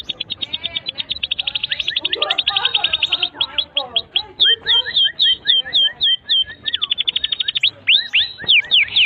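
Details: Canary song used as a long tutor recording for young and stalled canaries: fast trills of short chirps near the top of the range, rolling into sweeping slurred notes and rapid repeated downward whistles, with faint lower murmuring beneath.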